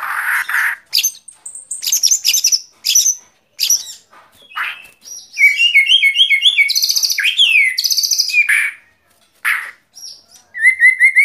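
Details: Varied white-rumped shama song: bursts of harsh notes and clicks, then a long passage of quick repeated whistled figures and rippling trills, ending with a rapid run of high notes.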